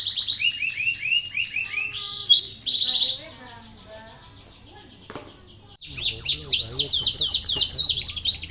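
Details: Canary song meant to coax lazy canaries to sing: fast repeated high notes and a trill, a quieter gap with faint chatter, then loud rapid looping whistled notes.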